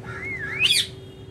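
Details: Pet rose-ringed parakeet, a talking bird, giving a smooth wavering whistle that rises, dips, then breaks into a brief harsh high screech, heard over a low steady hum.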